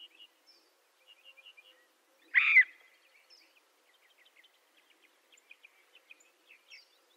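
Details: Scaled quail from western North America giving a single loud, harsh, nasal two-part call, with faint, scattered high chirps from small birds in the distance.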